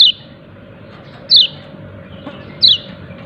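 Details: Three high, quickly descending chirps from a yellow-breasted white-eye calling "ciak ciak", evenly spaced about 1.3 seconds apart, over a faint drone.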